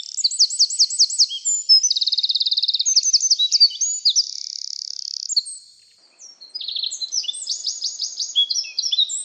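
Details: Eurasian wren, a tiny but very loud UK songbird often hiding in dense shrubs, pours out a high, rapid song of trills and sharp notes, a fast machine-gun rattle, a brief pause, then more bright twittering phrases.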